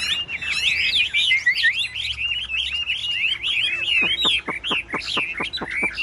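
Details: Chinese hwamei, a caged bird placed beside others for a singing contest, pours out dense, rapid, looping whistles, then switches to a run of sharp, falling notes repeated about three times a second.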